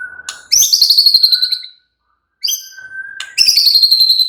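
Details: White-rumped shama giving a relaxed song meant to set other shamas chattering: a thin steady whistle, then bright high buzzy trills dropping in pitch, a pause, and the same descending trill again.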